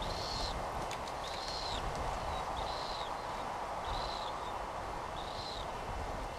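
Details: White terns, Gygis alba rothschildi, at Midway Island in 1999, recorded on a Sony VX1000 camera; short arched nasal calls repeated about once a second, five in a row, over constant background noise.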